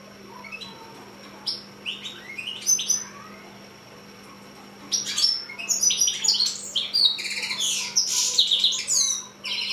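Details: Six-month-old hybrid finch (mule) singing, probably kept indoors: scattered high chirps at first, then a dense run of fast, varied twittering and trills after a short pause, with a faint steady hum beneath.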